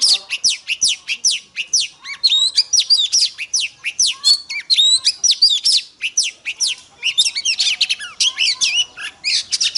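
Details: Oriental magpie-robin female in full song to excite males: rapid, continuous sequences of sharp descending whistles, twitters and bright chirps with hardly any gaps.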